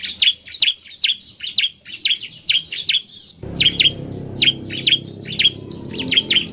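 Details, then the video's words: Bar-winged prinia song mixing a narung-style male and a fast female: evenly spaced sharp chips about twice a second, then denser chirping over a sudden rise in low background hum. "Kombinasi Suara Ciblek NARUNG dan Betina Cepat"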